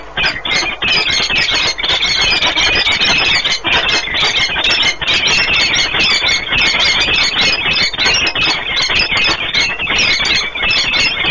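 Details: During a long bonding meeting at a Płock, Poland nest on 1 March 2019, peregrine falcons give an unbroken, loud stream of shrill grating chatter with barely any gaps, high and harsh throughout.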